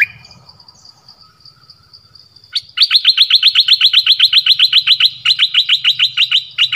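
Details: Dok taeng bird acting as a decoy in a forest on 13 January 2021, calling to a mate with a long, fast, even run of sharp, high chirps repeated about four times a second after a quiet start, with a steady high hum behind.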